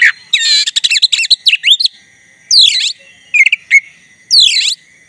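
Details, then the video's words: Black-breasted white-rumped shama in full song, used to provoke a rival shama into singing: loud, varied phrases of rapid chattering notes, sweeping whistled slurs and harsh descending bursts separated by short pauses. "Kacer dada hitam gacor untuk pancingan agar kacer lawan ikutan bunyi"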